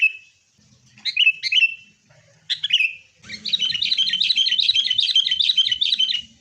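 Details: Fighting song of a sooty-headed bulbul, used as a lure for caged birds: a few separate liquid whistled phrases, then a long fast chattering run of bubbly notes over a faint low background rumble.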